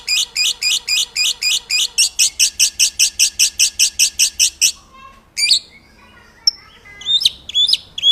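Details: White-rumped shama song as master audio for training birds: a steady run of about twenty rapid, regular chips, then a quiet gap and scattered sharp, high whistles and squeaks.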